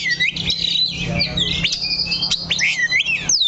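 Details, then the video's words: Caged Oriental magpie-robin staying on its perch, singing scratchy squawks that break into clear rising and falling whistles, with a steady low hum behind. "KACER THE LOCO NANCAP 1 TITIK"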